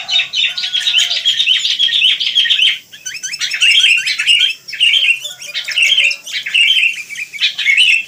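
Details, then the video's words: Lively chattering of wild sooty-headed bulbuls: continuous bubbly, slurred chirps with a short lull near the three-second mark before the busy chorus resumes. "Rame Kicau Burung Kutilang"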